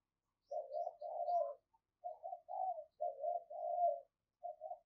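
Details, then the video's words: Decoy cu gáy, or spotted dove, calling to draw wild doves: a steady series of low, soft, slightly hoarse coos in short groups separated by brief pauses. "Tiếng chim cu gáy mồi thúc, gáy gọi bổi cực sung"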